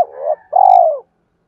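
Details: Spotted dove coo meant to prompt other doves to call back: a low wavering opening, a brief gap, then one long, smooth, gently falling note, with a faint click at the very start.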